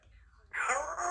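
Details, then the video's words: A 3-year-old female Congo African grey talking parrot at home gives a brief, breathy, speech-like utterance of about half a second after a faint murmur in a small room. "African Grey Talking Parrot"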